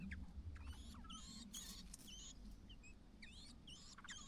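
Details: Fledging day for a lone White-browed laughingthrush chick, the mother calling from outside to coax it out: quick high chirps and short rising squeaks, irregular and overlapping, over a constant low hum.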